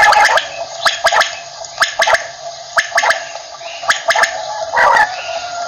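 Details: Morning quail call: quick groups of two or three crisp, whip-like notes, repeating roughly every second over a steady gurgling, hissing background.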